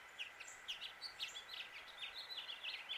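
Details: Male house finch, Suffolk, Virginia, USA, delivering a continuous jumbled warble of short, slurred high notes, roughly four or five per second, with an even background hum.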